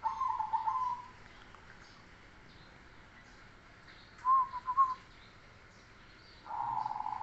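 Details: Bass-voiced cemani Kolbuntet zebra dove singing: short bursts of soft, vibrating coo notes come at the start, middle and end, separated by quiet hiss.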